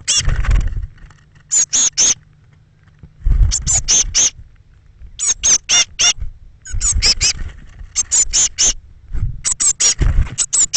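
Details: Eurasian blue tit young calling during the morning exodus of thirteen chicks from a nest box, 21 May 2017, 06:00 to 08:00. Repeated bursts of three or four high, squeaky notes, with periodic low thuds.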